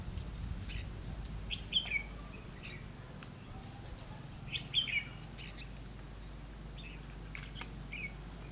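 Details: Decoy red-whiskered bulbul at a trapping site, 9 September 2016: two brief bright whistled phrases a few seconds apart, then faint scattered chirps against a low steady rumble.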